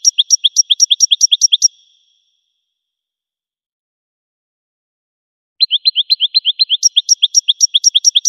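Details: Goldfinch song for education: a fast series of repeated, evenly spaced twittering notes, a long silent gap, then another rapid run of the same high, ringing repeated notes.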